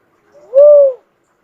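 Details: Single drawn-out cuckoo-dove coo, a smooth low hoot that rises slightly, holds steady and falls away, preceded by a faint quiet intro; no other sounds.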